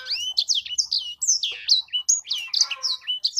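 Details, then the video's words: Hobby bird called sanger singing a continuous run of sharp, high, downward-slurred whistles and chirps, with a faint low hum underneath. "Burung sanger beneran sangar suara nya"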